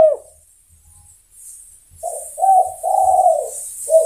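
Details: Spotted dove coos meant to call companions: a brief opening coo, almost two seconds of near silence, then a run of soft, hollow notes building to a longer sustained coo and ending on a short one.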